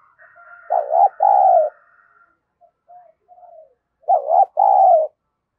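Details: Spotted dove decoy cooing daily to provoke wild rivals, in the thunder-voice song style. Two loud paired coos open, then quiet murmured notes follow, and another loud two-note coo ends the phrase.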